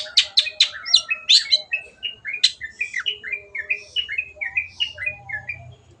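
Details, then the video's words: Long-tailed shrike 'gacor' song: a burst of rapid, squeaky mixed notes, then a steady string of short, clear whistled notes repeated several times a second. "MASTERAN BURUNG CENDET GACOR"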